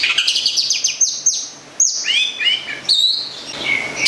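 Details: Long-tailed shrike, a caged local bird from Gedong Songo in Central Java, pouring out a rich, fast medley of scratchy chirps, sliding whistled notes and sharp high calls.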